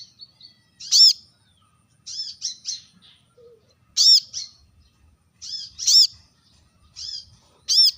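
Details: Piercing call of a brown-throated sunbird used to provoke rivals: loud, ringing high chips roughly every one to two seconds, separated by softer clusters of quick twittering notes.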